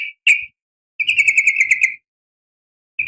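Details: Morning call of a female sooty-headed bulbul summoning males: two short clear notes, then a quick bubbling trill of about ten clipped notes lasting a second, then another brief note.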